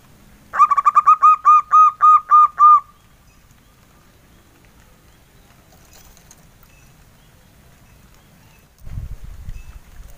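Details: Local male zebra dove singing in the soft 'engkel' style: about nine evenly spaced, mellow cooed notes in quick succession over two seconds, then quiet, with a low rumbling noise near the end.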